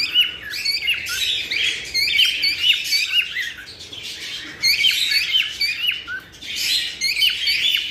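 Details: Cockatiels heard as mating stimulation: a crowded chatter of high squawks and chirps in waves, loud stretches separated by quieter moments around the middle and near the end.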